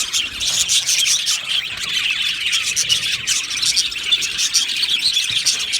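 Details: Short burst of aviary budgie colony chatter, a dense tangle of high chirps and rapid twittering from several birds at once.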